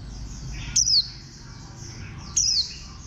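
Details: Warbling white-eye giving two short, sharp, very high notes that slide quickly downward, about one and a half seconds apart, over a steady low background hum.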